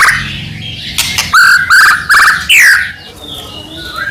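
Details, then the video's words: White-rumped shama singing to provoke rival shamas into song: a series of loud rich whistled phrases, each slurred and buzzy, about four in quick succession, then softer fading notes. "murai batu gacor AMPUH buat PANCINGAN murai batu agar bunyi"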